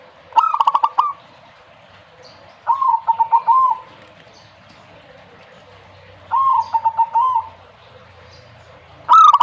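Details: Repeated zebra dove song: four rhythmic phrases of quick, bubbling coo notes at a steady mid pitch, separated by gaps of two to three seconds over soft background hiss.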